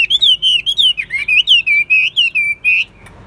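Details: A Chinese hwamei, a captive contest bird, sings a rapid run of rich, looping whistled phrases, about five notes a second, wavering high then ending on a sustained note.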